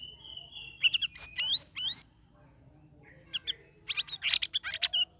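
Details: Caged sooty-headed bulbul in its third week of ombyokan training care, singing in the ngeriwik ngeplong style: a long steady whistle, then fast chirps and sharp rising notes, a pause, and a bright twittering burst.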